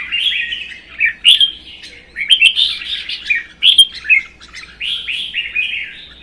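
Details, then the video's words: Captive-bred and wild-caught adult red-whiskered bulbuls sing against each other in cages in Vietnam; an almost unbroken stream of bouncy whistled notes, rising and falling, with occasional thin high notes above. "CHÀO MÀO | Hót đấu kích ché CB Phi Mã2 & già rừng xòe cứng 1 mùa"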